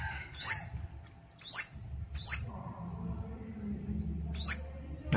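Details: Viewer-submitted sunbird recording, replayed: sharp high chirps at irregular intervals of about a second, each a fast rising stroke, with a steady high whine and low background rumble throughout.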